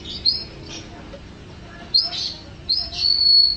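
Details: Canary song used as tutor material for songbirds: scattered high chirps and short bursts, ending in a sustained thin whistle.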